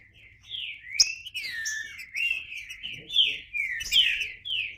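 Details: Green-winged saltator giving a continuous flow of gliding, whistled notes that rise and fall, moderately loud, with faint low background noise.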